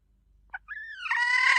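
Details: Hen calling: a soft single cluck, then a rising nasal note that swells into a loud, sustained, buzzy cry over faint low background hum.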